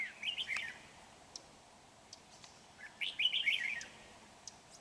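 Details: Red-whiskered bulbul, a lure bird used for trapping, 31 January 2019: two lively bursts of fast, tumbling whistled notes about two and a half seconds apart, with faint clicks between.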